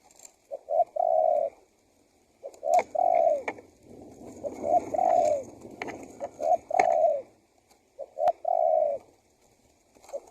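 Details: Spotted dove cooing as a lure for wild doves, repeated three-part phrases partly overlaid by clattering knocks and a broad rustling noise in the middle.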